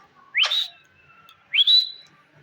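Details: Indian green ring-necked parakeet, a pet talking parrot, gives two sharp rising whistles about a second apart, each sweeping up and levelling into a clear high tone.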